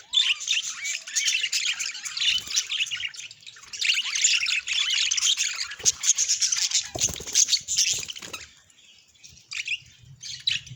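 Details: Pet budgerigar in a happy mood giving continuous high, buzzy chattering warble with tumbling chirps, thinning into scattered notes near the end.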